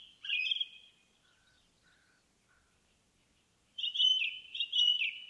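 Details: Forest-dwelling indigo bunting delivers a brief burst of doubled, slightly buzzy high notes, falls silent for about three seconds apart from a few soft faint notes, then resumes with a longer run of paired, descending phrases.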